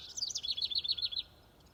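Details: Garden warbler singing in Wisconsin: a rapid, bubbling warble, a quick run of about a dozen high, rolling notes lasting just over a second, then quiet.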